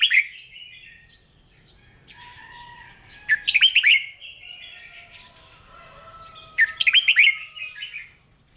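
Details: Red-whiskered bulbul practising its morning song to spur weak-spirited birds: a short warble opens, then two loud bursts of rapid, liquid whistled notes about three seconds apart, with soft chirps between.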